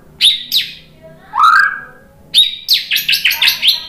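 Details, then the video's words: White-rumped shama provoked by a lure recording into answering song: two sharp chirps, one rising slurred whistle, then a quick burst of about eight bright, clipped notes in a row. "MURAI BATU jadi kepancing NYAUT ikut GACOR"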